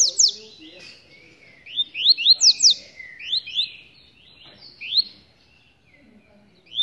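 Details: Rusty-collared seedeater in a hand-held cage delivering a busy run of bright upslurred whistles and sliding notes, phrases close together, a faint low rumble beneath.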